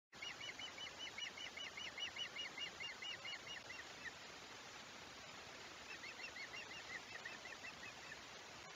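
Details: Osprey at a nest on the Chesapeake, recorded 5 August 2021, giving a rapid run of high, thin chirped whistles for about four seconds, then a shorter second series after a pause, over a steady hiss.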